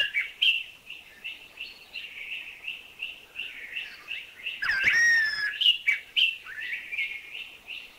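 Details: Streaked wren-babbler from Thailand giving a rapid series of short, repeated chuchi chuchi notes, broken once midway by a louder downslurred whistle.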